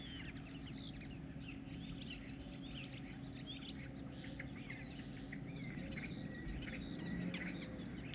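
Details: Common starling during courtship display and mating: a dense, rambling jumble of whistles, clicks and squeaky chirps without pause, over a steady low rumble.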